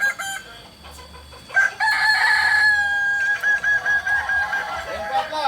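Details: At a group crowing practice in Amko, Solok city, a Kokok Balenggek rooster gives a long, steady, strongly harmonic crow that ends in a string of quick rhythmic pulsed notes.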